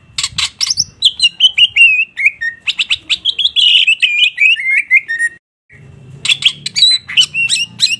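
A greater green leafbird sings loud, varied phrases: sharp high chips and bursts mixed with slurred whistles sliding downward, pouring out almost without pause.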